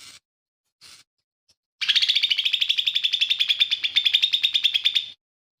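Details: Two short chirps and a faint tick precede a three-second rapid trill of sharp repeated notes, steady in pitch. The lesser green leafbird is said to sing imitations of fighting sparrow, tengkek buto and cililin.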